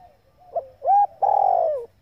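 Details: Calling female spotted dove, meant to excite males: a faint lead-in note and short pip, a bright upward-arching hoot, then a long coarse purr that slowly drops in pitch.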